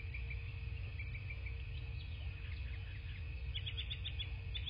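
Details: Bald eagle at a nest in southwest Florida, on a nest camera on a March 2024 morning: faint high notes, then a quick run of sharp, squeaky piping notes near the end, over a constant low rumble.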